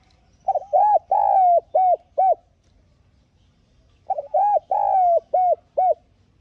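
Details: Decoy spotted dove repeating its calling-and-urging phrase twice about four seconds apart, each a run of roughly six hollow coos with a long drawn note in the middle, used to excite newly caught doves.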